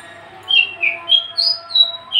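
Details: Caged, tame Javan bush lark, an unringed male ready for breeding, gives a short string of soft, clear whistled notes that step up and down in pitch, about three a second.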